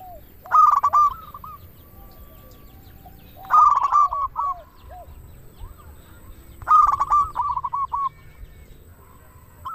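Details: Zebra dove, a local bird, singing as a lure to rouse other doves: three phrases about three seconds apart, each a loud rapid stutter of coos followed by a few softer rolling notes.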